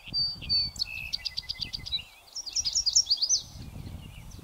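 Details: North American Song Sparrow on a northern USA prairie on a windy day sings bright opening notes, a quick run of repeated chips, then a jumbled twittering finish, over a low rumble of wind.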